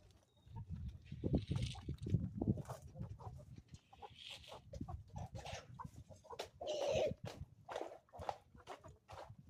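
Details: Chickens on an Ozarks homestead in the morning: low, busy clucking and scratching sounds with occasional brief higher squawks, amid rustling and shuffling noise.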